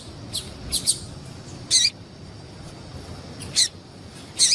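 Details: Calls of a female double-collared seedeater, meant to stir a male into singing: short, high, clipped chirps in scattered bursts, some paired, over faint steady hiss.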